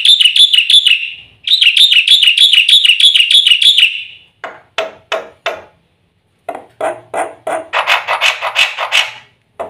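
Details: Black-winged starling song used as a training and bait recording: fast rolling trilled phrases at mid-high pitch, twice, then a run of harsh, clipped, scratchy notes that quicken into a buzzy chatter near the end.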